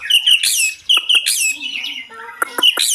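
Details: White-rumped shama delivering a richly filled song: fast runs of sweet whistles, sharp downward chips and fluty notes tumbling together without pause, loud and varied throughout.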